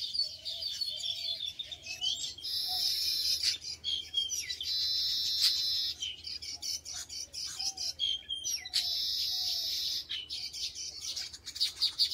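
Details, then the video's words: A colony of baya weavers with many nests in palm trees in a field near the Ganga at Shantipur, India, keeps up a dense, high chatter of wheezy, sizzling chirps in long bursts, with a few clearer notes from other birds. "এবং সেই সঙ্গে সঙ্গে কত বাবুই পাখি এবং তাদের কিচিরমিচির শব্দে চারিপাশে কিরকম মুখরিত হয়ে উঠেছে।"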